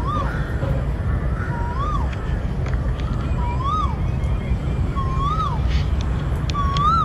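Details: Wild crows calling in a forest area while trying to attack the person nearby: a series of rising-then-falling nasal calls about once a second, fainter and set against a constant low rumble.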